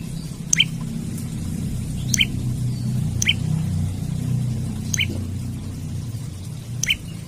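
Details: Olive-backed tailorbird calling vigorously in search of a rival, used as a lure or tutor for birds: six crisp, high upswept chips spaced one to two seconds apart over a strong low droning hum.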